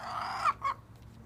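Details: A chicken lets out a harsh, buzzy squawk ending in a short second note, with a low background hum.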